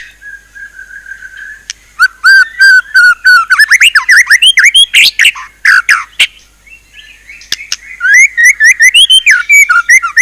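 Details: White-rumped shama singing an isian (fill-in) song: a long low whistle, then rapid varied whistled phrases, chattering rising and falling notes and sharp clicks in dense bursts, ending in quick upslurred whistles.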